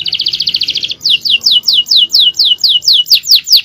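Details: A male canary's long-duration tutoring song, champion phrasing: a fast stuttering trill opening the phrase, followed by a loud series of sweeping descending notes repeated roughly three times per second.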